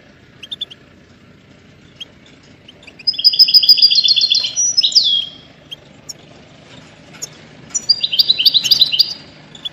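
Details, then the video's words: Goldfinch melody played to motivate and train songbirds: two bursts of fast, liquid twittering with buzzy trilled notes, separated by quiet chirps, over a steady low background rumble. "Goldfinch ringtones for hunting and high motivation"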